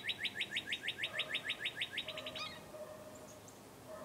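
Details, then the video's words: Birds recorded outdoors at about 8 in the morning: a quick run of about sixteen high, sharply rising-and-falling chirps packed into two and a half seconds, then fading into quiet background with faint scattered chirps. "Bird Sounds"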